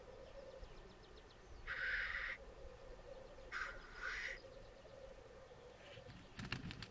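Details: Black grouse displaying at a lek on the Sallandse heuvelrug in the Netherlands: two rough, breathy hissing bursts about two seconds apart, over a steady background drone and a brief clatter at the end.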